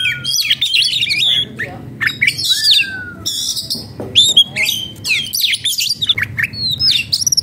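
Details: Oriental magpie-robin in breeding condition and agitated, singing a dense, fast medley of high chirps, trills and sharp notes, with a long smooth descending whistle near three seconds; a low steady hum underneath.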